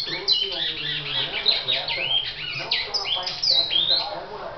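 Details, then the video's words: Great-billed seed finch in brown plumage delivering a loud, continuous song of sharp sweeping whistles and scratchy, squawk-like slurred notes, rising and falling quickly without pause. "BICUDO PARDO SEGÓVIA"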